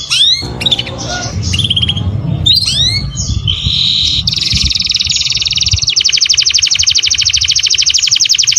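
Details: Canary song used as a master recording for training other canaries: bright whistled upslurs and chirps, then fast dense trills, a long rapid buzzing roll and a steady pulsed trill repeated many times per second, with low background rumble.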